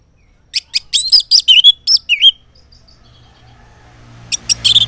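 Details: Morning song of the orange-headed thrush, used to lure silent males into answering; a rapid series of high chips and swooping whistled notes, a pause with faint low hum, then another burst of sharp chips.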